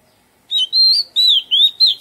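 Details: An Oriental magpie-robin sings in a garden, giving five smooth whistled phrases, each gently rising then dropping, in steady succession with brief pauses; quiet background.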